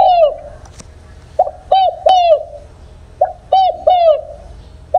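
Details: Spotted dove giving 'đồng không hậu' style coos meant to provoke wild doves for trapping: a soft trailing note, then two full phrases of three deep, slightly bending coos, loud and close.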